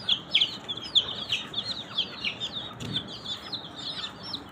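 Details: A group of colourful domestic chicks chirps continuously, overlapping thin descending peeps in a busy stream, with a soft low thud midway.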